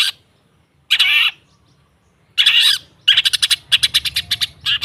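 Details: Long-tailed shrike sound played to coax a non-singing shrike into song: isolated harsh, raspy squawks with gaps, followed by a rapid series of clipped, buzzy chattering notes.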